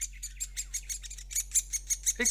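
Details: The last Great Spotted Woodpecker chick, still at the nest-hole entrance after its siblings fledged, begs impatiently with rapid, high, scratchy chirps about five per second, ending in a harsher burst as a parent hurriedly feeds it.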